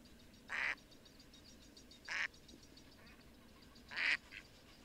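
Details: Mallard duck uttering three loud, flat, nasal quacks, well spaced at about one-and-a-half-second gaps, the last followed by a faint softer note, against a low steady background.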